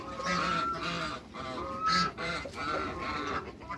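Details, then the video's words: Geese of African and Toulouse breeds, six of them meeting new geese, call in drawn-out nasal honks that overlap almost continuously, with one louder call near the middle. "MEETING SIX GEESE AFRICAN & TOULOUSE GEESE"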